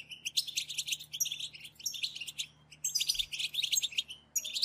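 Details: European goldfinches in a group chatter, the twittering style locally called batbata, used to stimulate other goldfinches to sing: dense, high, tinkling twitters in bursts with short gaps, several birds overlapping, and a faint low hum beneath.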